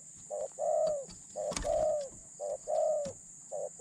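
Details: Decoy spotted dove, medium-pitched and lightly cooing, kept to attract other doves; rhythmic short-long coo pairs, the long note gently falling at its end, over faint background noise and a sharp knock.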